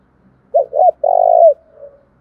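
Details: Spotted dove (cu gáy) in steady cooing meant to provoke wild doves: two short, low coos followed by a longer, rolling, drawn-out coo and a faint trailing note, in a quiet background.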